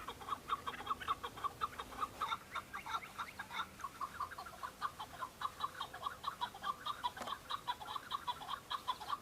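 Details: Several male Chukar partridges calling and fighting on Mount Bamo in Kurdistan, Iraq, displaying to females in the breeding season. Quick run of loud, clucking chuck notes, more than one bird overlapping, almost two per second, with little background noise.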